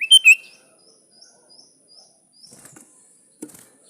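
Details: Sooty-headed bulbul, said to be calling a rival, gives a few loud, bubbly chirps, then soft, thin high notes, followed by a couple of faint rustling bursts.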